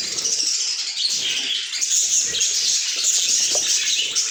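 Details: Pet budgies chirping nonstop, with thin, high twittering notes and brief whistled squeaks layered into a constant bright chatter.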